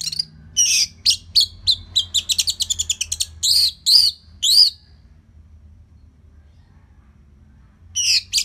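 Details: Singing orange-headed thrush, kept in Singaraja, Bali, as a song model for other birds: a rapid series of sharp, evenly spaced high notes, then arched whistles, several seconds of quiet, and a final burst.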